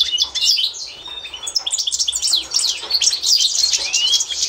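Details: European goldfinch of the Constantine type singing for bird training, 2024: quick irregular high chirps, twangy slurs and a long rising whistle near the end, delivered in a rapid, chattering flow.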